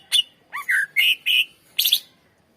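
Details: Greater green leafbird song, played to lure and train other birds: clear short whistled and slurred notes, some rising, ending in a harsh burst, in a quiet setting.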